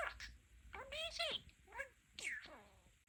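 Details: Pet budgerigar, a male talking parakeet, excitedly chatting with its owners indoors and combining two favourite phrases, "Amazing" and "Wonderful"; rapid squeaky, speech-like syllables in quick bursts with gliding pitch, a few short pauses between phrases.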